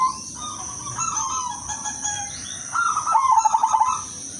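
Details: Calling female zebra dove, silver variety, summoning males: a quiet drawn-out coo, then a louder bubbling trill of fast, evenly spaced notes about one second long, against a continuous high whining background.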